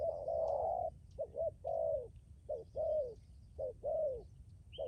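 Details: Decoy spotted dove calling persistently, a series of low coos alternating quick doubled notes with longer sliding coos that fall slightly at the end, about one phrase per second.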